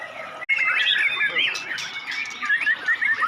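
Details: Seven-month-old white-rumped shama singing at a songbird contest in the adult class: a rich, continuous run of whistled and chattering phrases, rising and falling quickly, with other birds chirping in the background.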